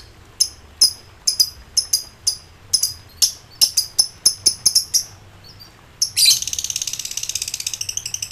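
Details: Agitated lovebird calling rivals: a run of separate sharp, high chirps at irregular spacing, then a burst into the rapid, rattling ngekek chatter for the last two seconds.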